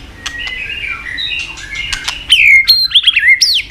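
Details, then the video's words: White-rumped shama song meant to provoke other murai batu into singing: faint twittering and clicks at first, then loud clear whistles gliding down and a rapid, high, rising flourish. "Murai batu gacor isian super lengkap"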